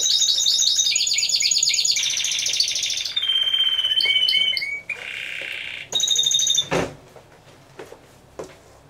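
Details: Timbrado Español canaries in a four-bird team class at a November 2015 singing show; varied rolling trills at several pitches with short pauses, followed by a sharp click and quiet.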